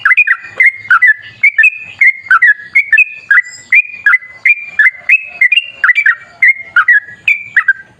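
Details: Sooty-headed bulbul singing energetically in the wild, a lure recording meant to set other bulbuls singing: steady run of paired whistled notes, one flat and one dipping, repeated about twice a second.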